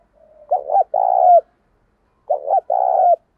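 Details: Spotted dove serving as a lure bird, provoking wild doves to answer, voice called thổ sấm and thổ bầu; a soft murmur, then two matching phrases of stuttered notes and a long resonant coo dropping at the end.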